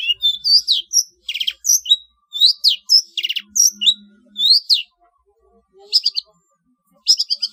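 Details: Varied long-tailed shrike song from a training recording for competition birds: quick whistled slurs, buzzy trills and chattered phrases in bursts, with a pause before scratchy notes resume.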